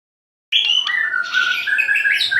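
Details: White-rumped shama, murai batu from Aceh, singing energetically: after a silent start, a loud continuous run of whistled, sliding notes with harsh, buzzy overtones, with no pause.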